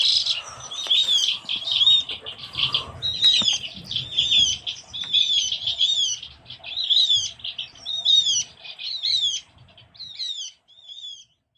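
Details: Javan grey-throated white-eye, a small forest bird of Java, in lure audio: bright, sharp chirps and short whistled notes repeated about once a second in loose bursts, with faint low rumble beneath.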